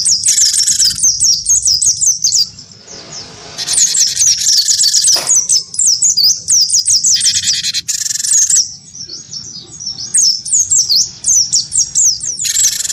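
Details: Wingko-type cinereous tit goaded into combative singing against a white-eye: dense streams of sharp, high, slurred whistles broken by long grating buzzy blocks, with brief quieter pauses between bouts.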